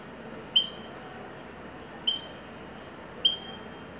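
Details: European goldfinch, Moroccan widani type, giving three well-spaced double notes, each a short low chip followed by a bright, higher, slightly downslurred whistle, roughly every one and a half seconds against a quiet background.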